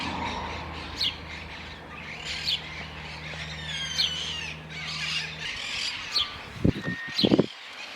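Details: An adult male house sparrow, an introduced species in Argentina, gives its characteristic short, bright chirps roughly every one to one and a half seconds near the end of winter, with a faint steady hum and some louder knocks at the end.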